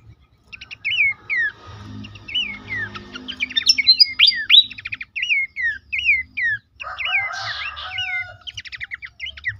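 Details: Horsfield's babbler song played to stimulate caged birds: short downward-slurred whistles given in quick sets between brief ticking chirps, with a harsh rasping burst near the end and a faint low hum underneath.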